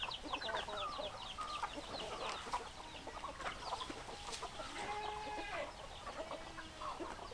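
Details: Chickens cluck in a crowded group, short choppy clucks mixed with longer, level drawn-out notes and a few rising squawks, keeping a constant murmuring hubbub throughout.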